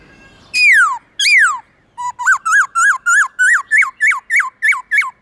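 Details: Black-throated laughingthrush singing its forest-style song in the morning, long, loud and clear: two ringing whistles sliding downward, then about eleven quick rising-and-falling notes in a bouncy, accelerating run.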